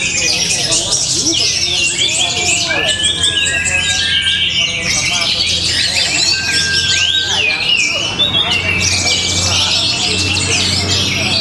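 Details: Long, powerful matrix-style song by an orange-headed thrush from Tabanan, Bali: varied high chirps and squawks mixed with clear sustained whistles and wavering slurs, each phrase running straight into the next, over a low hum.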